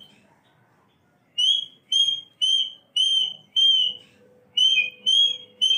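A cockatoo whistles a string of about eight clear, bright notes, roughly two per second, each a short level or slightly rising whistle, over a faint steady hum.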